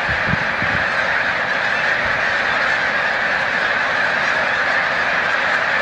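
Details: Migrating snow geese massed at Montezuma, New York, 7 March 2022, near migration's peak: thousands of overlapping honks blend into a constant high-pitched din, with brief low rumbles near the start.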